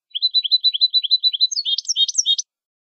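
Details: European goldfinch in a Málaga 2020 recording of clean contest song for teaching young birds: a steady run of tinkling twitters that turns into higher, buzzier, more complex notes toward the end.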